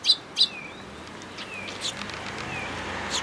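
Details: At a Tenmangu shrine on 22 May 2022, sparrows visit a feeding place in a plum tree; two loud, clipped chirps open, followed by fainter chirps and thin whistles from other birds.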